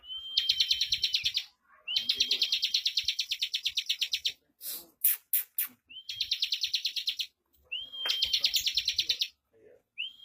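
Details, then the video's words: Bar-winged prinia kept in a cage for singing contests: bursts of fast buzzy chirping, each opening with a short upslurred whistle, separated by pauses and a few sharp clicks. "Suara Burung CIBLEK Bocor Tipikal Ngunci lagu Speed Rapat"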